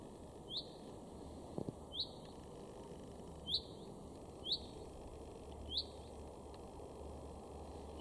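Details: A male common chaffinch in a garden in Weener, East Frisia, northwest Germany, in March 2022, gives six short, sharp, high 'pink' notes, one every one to two seconds, over a steady low hum.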